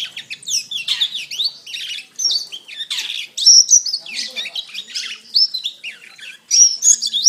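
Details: Canary song meant to teach caged birds to sing: dense, tumbling high warbles and downward-swooping whistles, broken by short pauses, with a brilliant piercing trill near the end.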